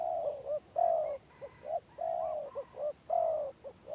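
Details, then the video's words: Stuttering 'gagap' song of a village spotted dove: deep mellow coos alternating with brief hiccuping notes, two long drawn coos about two seconds apart, and a constant high-pitched hum in the background. "BURUNG TEKUKUR GAGAP VS GAGAP"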